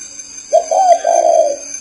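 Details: A single low, breathy spotted dove coo phrase of three joined notes, against a steady background hum.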